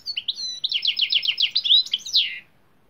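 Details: European greenfinch singing: a couple of thin high whistles, then a rapid run of about ten rolling, slightly buzzy notes, closing with a bright downward-sliding flourish, all in under three seconds against a quiet background.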